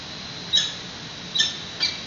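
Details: Peregrine falcons at a webcam-monitored nest in San Francisco, 28 May 2017 at 10:35 am, during a nest exchange: three short sharp high calls over steady hiss and a low electrical hum.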